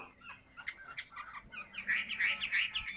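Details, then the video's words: A large, handsome captive Chinese hwamei singing profusely: a rich run of loud, varied whistles and slurred phrases, quieter at first, then building into bright, rapid notes. Finding: Chinese hwamei. "tam hoàng bộ to đẹp hót rất nhiều"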